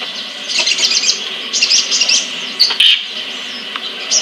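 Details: A captive sunbird (sogon/sriganti) kept as a song-tutor bird in Pemalang, Central Java, Indonesia, gives high, thin twittering bursts of rapid chirps about half a second each, over a steady high-pitched hum.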